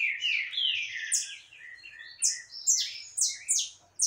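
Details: Canário caboclo in full song on 20 October 2021, with a lively string of shrill, slurred chirps and a few longer buzzy notes, ending in several loud rising-and-falling squeaks.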